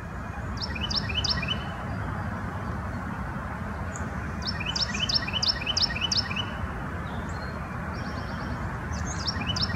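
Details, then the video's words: Carolina wren calling while foraging at Bluebird Gap Farm, Hampton Roads, Virginia, in late February 2019: bright, ringing phrases of quick repeated notes in a few bursts, over a steady low rumble of background noise. "Carolina wren calling"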